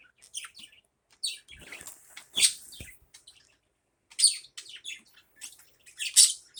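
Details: Morning budgerigar chatter, a run of bright, scratchy, warbled notes with a brief fluttering, rustling passage in the middle and a loud squeak near the end.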